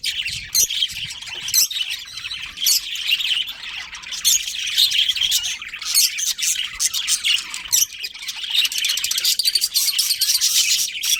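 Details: A continuous wash of budgerigar chirping from a breeding colony: thin, high, twittering notes overlap, with sharper single chirps standing out every second or so.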